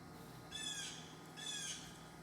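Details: Baby great horned owl at night in Washington, 10 October 2015, not sounding like an owl: two harsh, hissing screeches with a raspy, high-pitched quality, each about half a second long and about a second apart, over quiet background.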